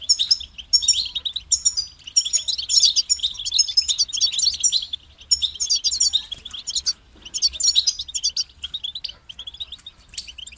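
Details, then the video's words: European goldfinch, kept bird, sings long runs of rapid tinkling twitters and chattering trills that halt and resume after short pauses, a recording used to encourage other goldfinches to sing; low hum throughout. "Highlighting motivating songs for creative goldfinches in simple ways"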